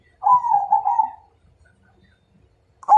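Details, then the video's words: Zebra dove, Majapahit type, challenging to fight: one smooth, gently wavering coo lasting about a second, followed by quiet and then the onset of another note. "Suara Perkutut MAJAPAHIT Ngajak Tarung"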